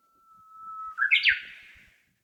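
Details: Small songbird singing in Nishi-no-Kubo Park, Hondo-machi, Amakusa City, Kumamoto, Japan, heard from a shaded woodland footpath during a spell of hot days: a long, steady, clear whistled note, then a quick bright flourish of two or three sharp rising-falling notes.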